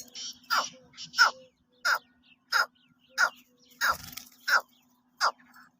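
Black francolin giving harsh, grating notes in a broken series, roughly one every half second, over a steady low electrical hum.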